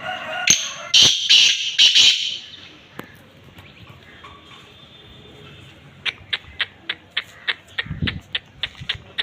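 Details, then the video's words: Black francolin at Khushab giving loud, harsh, scratchy call notes in a quick group of three or four, followed by a quieter spell and then a steady series of sharp clicking ticks, roughly three per second. "kala teeter ki awaz"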